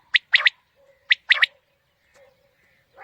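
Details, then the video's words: Quail call used as a morning hunting lure: two sharp three-note phrases, a note then a quick pair, with a faint low hum and a brief rough sound at the end. "Quail Calling 2020 | Batair Ki Awaz suba ki shikar Ki liye"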